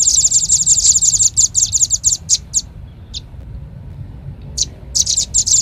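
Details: Velvet-fronted nuthatch lure call: a fast, dense chatter of shrill chips thins into a few spaced notes and a near-silent stretch, then a quick burst returns.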